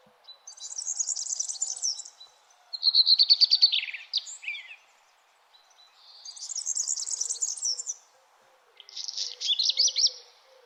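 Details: Early-morning birds chirping at sunrise: four high, buzzy, rapidly pulsed phrases, about two seconds each, alternating with short silent gaps and a faint background hum.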